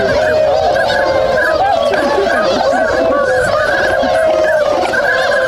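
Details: Wintering swans at Inzai's Swan Village, Chiba, Japan, waking and moving about on 16 January 2022; continuous crowded honking, many birds calling at once in bugled, nasal notes with no pause.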